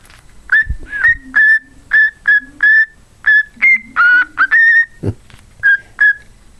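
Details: Pet cockatiel, also called quarrian, whistling a tune such as Jingle Bells: a string of clear whistled notes, mostly level or slightly rising, about two per second with short gaps, and a few low hummed tones underneath.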